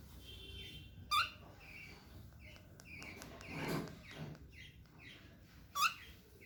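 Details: A little cockatiel taking its first steps lets out two short, upswept chirps about five seconds apart, with soft rustling and shuffling noises between them.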